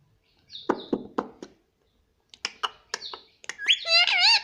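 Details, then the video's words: Indian ringneck parrot talking indoors as a pet, repeating "mummy": knocking clicks and brief squeaks, a pause, more clicky syllables, then a loud, sustained, wavering harmonic phrase at the end. "non stop talking mummy || papa ka pyara mithu || cute Indian ringneck parrot"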